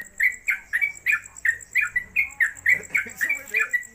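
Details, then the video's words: Yellow-vented Bulbul (trucuk), a caged newcomer hung on a gantangan pole at home, singing in nonstop 'konslet kemedol' style: about thirteen quick, bubbly, chirped notes in four seconds, each dipping and rising, over a faint steady high whine. "Trucuk Konslet Kemedol Berdurasi"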